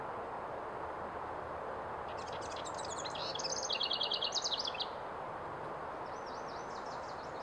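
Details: A House wren sings a fast, gurgling burst of high notes lasting nearly three seconds that quickens into a rattling trill, followed later by a few faint trailing notes. A constant low rumble fills the background.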